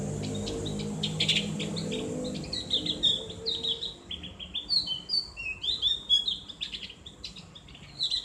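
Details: Ngriwik song of the Javan grey-throated white-eye meant for conditioning kept birds: sharp ticks first, then a lively run of high twittering, downslurred whistles, against low rumbling noise.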